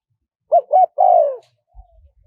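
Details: Spotted dove with a small voice calling in the wild kharom pa manner, played to tempt wild doves: paired short coos leading into a long descending coo, followed by a faint low thump and soft rumble.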